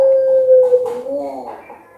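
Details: Puter pelung dove cooing in reply to a lure recording. A long, level, hollow note slides down slightly, then breaks into short wavering coos that fade away.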